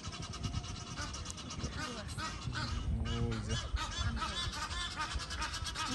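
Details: Wild geese during mating season honking together in a dense, overlapping chorus. The harsh calls pile on each other almost without pause over steady low background noise.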